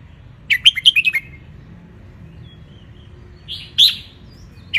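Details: Tutor song of a red-whiskered bulbul from Ratchaburi, Thailand, wild type, meant for young birds: a fast run of six bright, warbling notes, a long gap, then a louder rising whistled note and a final chirp.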